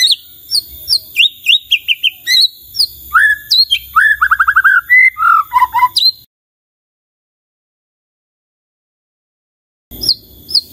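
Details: White-rumped shama singing among other responding shamas: rapid high whistles and chips, descending slurs and a fast buzzy rattle, then about four seconds of silence before the song resumes.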